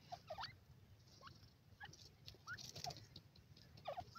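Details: Baby Sindhi partridge chicks in Punjab, Pakistan, give soft, scattered peeps and short rising cheeps, several birds calling irregularly over a low background rumble.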